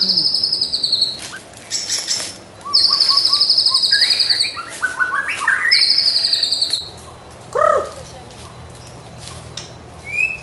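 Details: White-rumped shama in lively morning training song: loud buzzy high trills alternating with rapid chattering runs, a deep slurred note, and a brief whistled ending.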